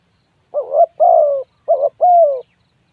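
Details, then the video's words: Two low coo phrases from a spotted dove, each a short wavering note answered by a long, even, slightly falling hoot; clean recording without other noise. "tiếng chim cu gáy gu"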